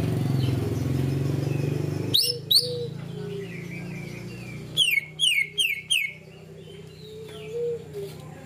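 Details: Greater green leafbird, 'ngunci kenari' material: two sharp rising whistles, then a burst of four more a few seconds later, with soft scattered chirps and a steady low rumble beneath.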